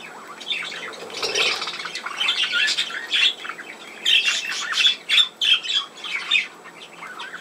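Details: Budgerigars, 17 November 2024, give a low buzzy murmur, then a run of sharp separate squawks and chirps in quick bursts, each call clipped and scratchy with short gaps between.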